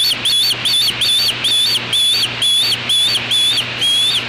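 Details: Defending its natal nest from an apparent black vulture intruder, a juvenile osprey gives loud, shrill whistles on an August afternoon in 2013. Each note bends up then down, repeated roughly twice a second over a faint steady hum.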